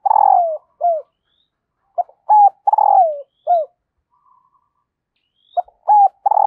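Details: Female dove calling to excite the male, repeated phrases of a brief note, a doubled coo, a long downward-rolling coo and a short falling end note, with a pause of about two seconds between phrases.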